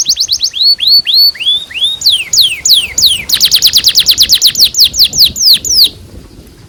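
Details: Canary singing a varied tutor song meant to teach young canaries. Sweeping upslurred whistles, then sharp descending notes, building into a fast, dense trill before the phrase ends abruptly.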